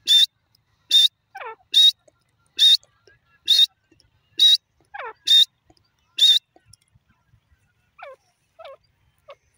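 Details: Grey francolin giving a steady series of loud, harsh, high notes roughly every three-quarters of a second, interleaved with softer, lower, downward-sliding notes; the lower notes continue alone after the loud series stops.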